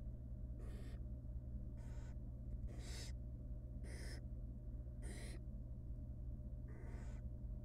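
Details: Rasping, breathy screeches from barn owl nestlings begging as the female feeds them tiny pieces of rabbit inside a wild nest box, six harsh bursts spaced roughly a second apart above constant low electrical hum.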